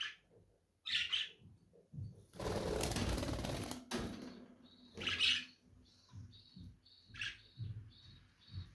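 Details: Shrill lovebird squawks at intervals, broken by a long burst of rustling, flapping noise in the middle; a clipped high note repeats faintly between calls.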